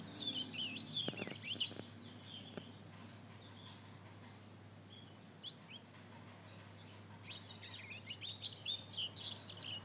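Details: Hybrid of Mozambique canary and canary, aged two months, learning to sing: scattered chirps and short twitters at the start, a near-silent gap, then a renewed flurry of rapid tweets.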